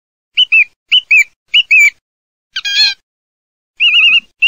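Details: Song thrush song built from one bright down-slurred two-note phrase repeated three times, followed by a scratchy chord-like note and a rapid warbled trill, with no other sounds.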